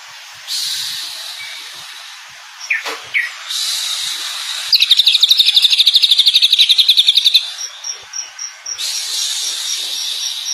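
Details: Greater green leafbird, known locally as cucak ijo, singing a varied song: high trilled phrases and a long rapid chatter of repeated notes lasting about three seconds, followed by a series of separate chips, over a steady hiss.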